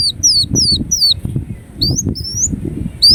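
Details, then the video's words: Ruby-cheeked sunbird, known locally as kolibri wulung, singing thin high notes that sweep between high and very high pitch, several in quick succession, over a low rumbling background. "Kolibri Wulung Gacor Dorr Bocor Corr"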